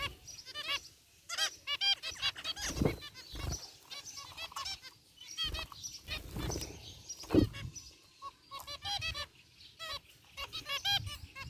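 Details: Caged flock of zebra finches of white and gray varieties chirping in an aviary: rapid series of short nasal beeps in bursts, several birds overlapping, with occasional low thumps and rustling.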